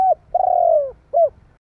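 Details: Calling spotted dove, used to provoke other doves: a brief coo, then a drawn-out, gently falling throaty coo, and a short rounded coo to close.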